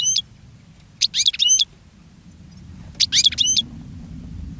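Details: European goldfinch singing from a cage, drawing in other goldfinches: two crisp clusters of high, liquid twitters with rising slurred notes, about two seconds apart, plus a brief note at the start and end over a steady low rumble.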